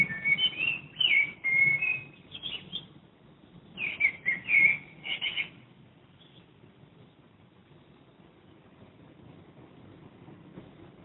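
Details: Common blackbird near a home in Madrid, Spain, recorded from a window: clear fluted warbling phrases in two bursts over the first five seconds, then quiet with faint low traffic-like rumble.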